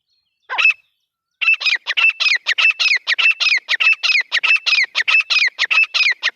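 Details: Grey francolin: a single raspy note, a brief pause, then a rapid run of loud, harsh, evenly spaced squawks with a metallic ring, continuing strongly to the end.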